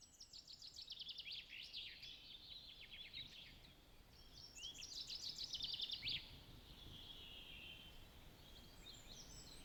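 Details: Chaffinch songs in the early-morning waking chorus in Southern Finland, 2023: two bright, quick descending trills, each closing in a short flourish, with fainter chirps from other birds.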